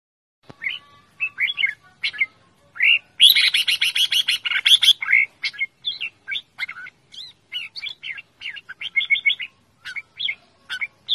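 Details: Red-whiskered bulbul kept as a pet bird, calling loudly in a playful, lively manner: rapid bursts of bright chirps and warbled whistles, with a dense buzzy chattering run in the middle, repeated over and over.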